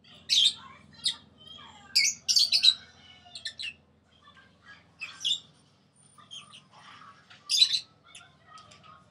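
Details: Pet sun conure, six months old, housed near pairs of blue budgies and peach-faced lovebirds; bursts of shrill, grating squawks, some doubled, scattered irregularly with quieter chirps between them and a faint background hum.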